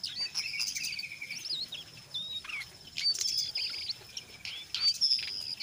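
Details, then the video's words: Chattering brown jongkangan singing the ngeriwik style mixed with ngeplong, meant to prompt other jongkangan to sing. Dense, high, twisting whistles and trills run almost continuously, with brief pauses and sharp bright accents. "SUARA BURUNG JONGKANGAN COKLAT NGERIWIK GACOR"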